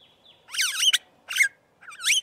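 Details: Aplonis starling giving three harsh, buzzy calls with stacked overtones, each rising then dipping, about half a second apart, in otherwise quiet surroundings.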